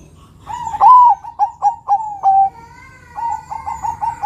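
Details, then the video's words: Zebra dove (perkutut), a Bangkok and local crossbred bird in full song, used as a lure to draw other doves into singing: a rising-falling opening coo, four quick staccato notes, then a long drawn-out final note, followed by a softer second phrase. "Perkutut bangkok gacor suara nutut besar panjang penarik bunyi perkutut bangkok lokal crossing"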